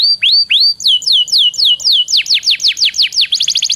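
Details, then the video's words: Canary song used to prompt other canaries: slow rising whistles, then downward-sweeping notes repeated about three per second, quickening into a rapid trill at the end. "PANCINGAN KENARI BIAR CEPAT GACOR"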